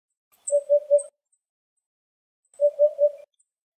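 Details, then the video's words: Eurasian hoopoe (Upupa epops epops) in Greek nature, foraging by digging soft soil with its bill, gives two runs of soft, low, hollow 'oop-oop-oop', three even notes each, about two seconds apart, with faint high ticks behind. "Τσαλαπετεινός φωνή - Τσαλαπετεινός ψάχνει τροφή - Hoopoe bird call"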